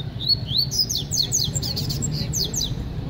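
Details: Double-collared seedeater (coleiro) from Paraíba delivering a fast, continuous song of high, clear slurred whistles and quick downslurred chips, repeated many times in three seconds, with a low background rumble.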